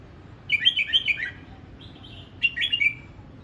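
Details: Red-whiskered bulbul practising its voice, delivering lively, bubbling whistled phrases of quick rising and falling notes, a brief soft whistle between two clear bursts.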